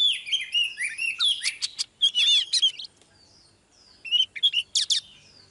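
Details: A female Oriental magpie-robin sings to draw a male into fiery singing: rich warbled whistles and harsh buzzy notes at first, a quiet gap, then a few sharp bright phrases.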